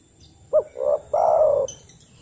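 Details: Spotted dove calling other doves, a sound played as a lure so silent doves will answer: a single low three-part phrase, a clipped first note, a rolling second, and a longer hoarse coo, over quiet background hiss.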